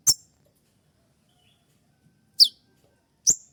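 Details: Sharp 'shot' song of a spotted kolibri ninja sunbird, played at dawn as a master for training songbirds; three isolated piercing high notes separated by long silences, the later two dropping steeply in pitch.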